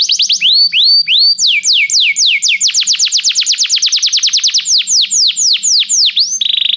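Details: Belgian canary song to warm up a canary: varied phrases of sweeping whistled notes speeding into a rapid run of downslurs, then slower broad slides and a closing fast trill.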